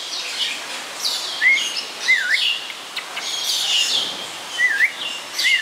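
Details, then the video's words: Snowy-crowned robin-chat, an East and West African species, singing at Chester Zoo: clear rising-and-falling whistled notes every second or two among a busy stream of high chirps and twitters. "Snowy Crowned Robin-Chat Singing"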